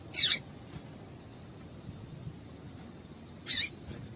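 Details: Female yellow-bellied seedeater calling to get the male singing: two short, high, hissy chips, one at the start and one about three seconds later, over a faint steady high whine and quiet background.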